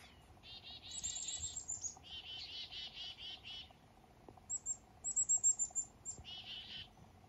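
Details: Foggy morning up north with black-capped chickadees calling: high thin notes sliding into a string of buzzy 'dee' notes, then after a pause sharp high chips followed by another short burst of buzzy notes.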